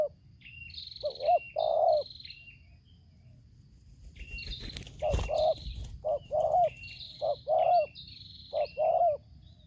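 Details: Spotted dove (tekukur) in Lampung, a decoy bird against a wild one, tarik akar selang nguku style. Short low coos repeat under high whistled notes from another bird, with a sudden thump or rustle midway.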